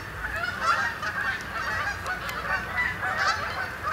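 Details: Canada geese gathering for the night on a pond at Sapsucker Woods in Ithaca, New York, October 2017; a constant wash of many honking birds calling together without pause.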